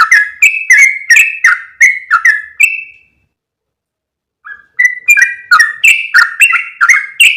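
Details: Lure recording of a yellow-vented bulbul used to attract other birds of its kind. A fast run of chirpy, liquid notes breaks off for about a second and a half of silence, then resumes in a dense, rapid series.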